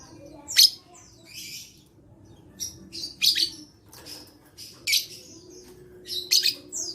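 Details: Lovebird singing, offered as a lure for lovebirds that are reluctant to sing: loud, rasping high chirps repeated about every one to one and a half seconds, with softer twittering between and a low steady hum.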